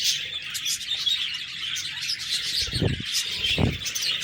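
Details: Budgerigars chirping in a dense, continuous chorus of high twittering and warbling notes, many birds overlapping, with two dull low thumps near the end.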